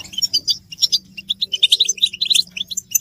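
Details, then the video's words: Collective goldfinch chatter used to push males out of silence and into song: rapid bright chips and short buzzy twitters tumbling over one another in uneven bursts, with a soft low drone beneath. "بتبتة حسون الشوك تحفيز الحسون على التغريد والهيجان علاج صمت الحسون goldfinch stimulation"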